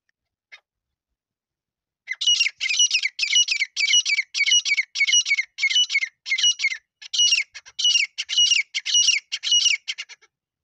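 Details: Partridge (desi teetar) calling, used as a lure for hunting in Sindh, Pakistan: one short note, then after a pause a long, fast series of shrill, grating high notes, broken by a brief gap near seven seconds.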